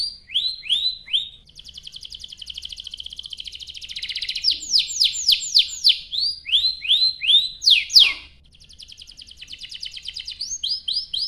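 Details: Canary singing to trigger other canaries, mixing upslurred whistles with long fast rattling trills and sharp sweeping notes, clean and high with little background.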